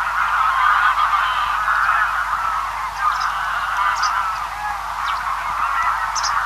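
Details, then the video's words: Distant large feeding flock of greylag geese keeps up a steady, overlapping chorus of nasal honks, with faint high chirps of swallows and white wagtail above. "Greylag Goose. Distant Calls From A Large Feeding Flock"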